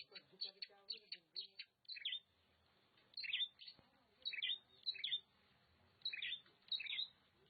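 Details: Oriental magpie-robin from Nagan Raya, Aceh, delivering loud, clear phrases of high whistled and slurred notes. Quick chip series alternate with separate bright, descending whistles about every second, with short quiet gaps between phrases.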